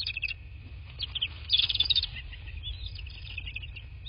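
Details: Bald eagle at its nest in southwest Florida, filmed by nest camera on 7 March 2024 in the afternoon: rapid high-pitched piping and chittering, loudest in a burst midway, over a constant tone and low background rumble.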